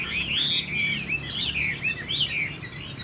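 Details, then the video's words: Chinese hwamei, a caged bird hatched this year, singing loud, fluid whistled phrases that rise and fall in smooth slurred loops. "Họa mi chuyền năm nay, cực kỳ tố chất, vẩy đuôi khướu, hót tốt"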